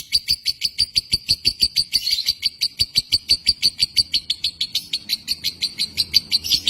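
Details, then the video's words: Indonesian lovebird in josan song: a rapid, even string of piercing high chirps, roughly three each second, over a thin sustained whistle. The chirps grow slightly rougher toward the end. "Burung lovebird josan indonesia"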